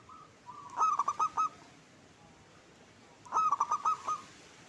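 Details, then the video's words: Local zebra dove calling: two soft, mellow cooing phrases, each a drawn-out opening note then a quick run of four or five clipped coos, about two and a half seconds apart. "Perkutut Lokal Gacor jenis suara paling disukai"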